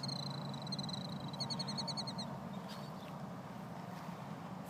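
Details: A Killdeer parent performing a distraction display to lure an intruder away from its one-day-old chicks gives a rapid series of high, piercing notes in quick bursts for about two seconds, over a steady low wind rumble.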